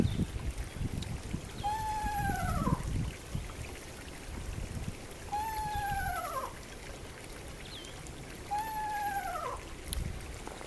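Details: Eastern Screech-Owl call played back on a speaker for owling in Southeast Michigan woodlands: three quavering, descending whinnying trills, each about a second long, roughly every three and a half seconds, over low rumbling noise; this typical haunting trill is used to coax one into view.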